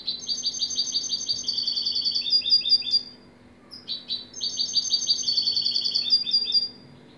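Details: Two energetic phrases from a European goldfinch, each a dense cascade of bright, chattering notes and rolling buzzy trills about three seconds long, with a short silent gap between them.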